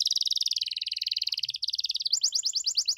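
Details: Canary in lively 'gacor' song with fancy 'cengkok mewah' phrasing, meant to provoke other canaries into answering: a long buzzy rapid trill that shifts to a sequence of quick rising notes.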